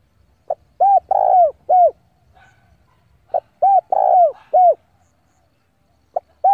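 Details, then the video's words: Decoy spotted dove calling rivals to come and fight, giving repeated four-note cooing phrases: a clipped opening note, then mellow falling coos, the middle one drawn out, a phrase about every three seconds. "tiếng chim cu gáy gọi bổi về cội để đấu của con chim cu gáy mồi giọng gáy hay cực chuẩn kích bổi"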